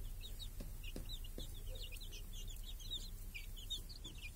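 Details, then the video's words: Chicks feeding with hens under a cage protecting them from crows and hawks, in a village on a clear summer day. Crowded high cheeps come in quick overlapping runs, with several soft taps and a low rumble beneath. "Chickens and hen in the village | Sounds with chicks on a clear summer day"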